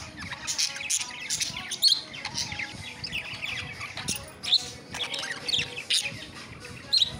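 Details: Pet parrot at evening play, giving busy high chirps and squeaky chatter with sharp whistled notes every second or so, amid a murmur of other sounds.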